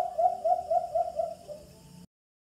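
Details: Alimokon, the white-eared brown dove, calling from a Bluetooth speaker used for hunting: five evenly spaced hollow hoots that then trail off into softer, fading notes before silence.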